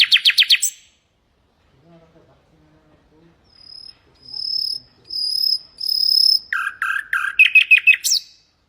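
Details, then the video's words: Hasaniya song of a common nightingale, meant to teach goldfinches and canaries: a rapid rattling trill, a pause, a series of high swelling whistles, then fast chattering repeated notes. "ساعة من تغريد طائر العندليب الحسنية لتعليم طيور الحسون والكناري بدون أخطاء"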